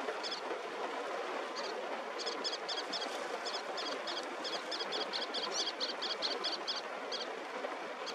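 Little tern giving sharp, high 'kik' notes, single and in quick chattering runs, over a steady rush of wind or surf.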